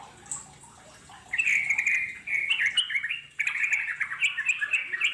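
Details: Sooty-headed bulbul (trucuk) singing in the wild in the long ngeropel style; quiet at first, then two bursts of rapid, bubbling whistled phrases separated by a brief gap.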